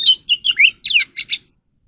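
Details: Oriental magpie-robin trained in captivity sings a quick burst of varied chirps and slurred whistles, with two sharp rising notes close together at the end.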